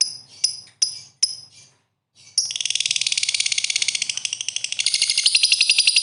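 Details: Lovebird in 'gacor' song: four sharp chirps, a pause, then a long, unbroken, buzzy trill with fast pulsing notes that lasts to the end.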